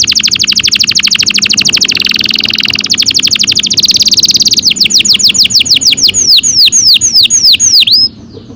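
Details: Long canary roll sung as a lure for young canaries learning to sing: a fast, even trill lasting several seconds, changing pace, then slowing into looping whistled sweeps before stopping abruptly.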